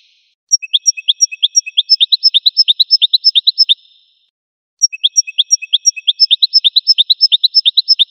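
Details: Goldfinch delivering two long, evenly paced trills of rapid high chirps, about three per second, each lasting several seconds with a short silence between.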